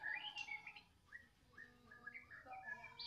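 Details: White-rumped shama of the Medan type singing in the afternoon: quick short whistled notes and slurs over a hissy, humming background.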